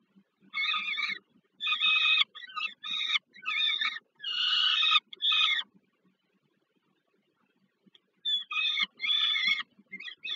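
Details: Peregrine falcons at the Żerań thermal power plant in Warsaw, Poland, on 15 August 2022, during a food delivery to a young bird. A run of short, scratchy, harmonic calls is followed by about two seconds of silence, then more clipped rasping notes.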